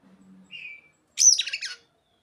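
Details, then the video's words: Oriental magpie-robin singing with mimicked ciblek and sogon phrases: after a faint low murmur and a brief thin whistle, one energetic burst of dense, very high, scratchy chirps and trills. "Kacer isian burung ciblek dan sogon"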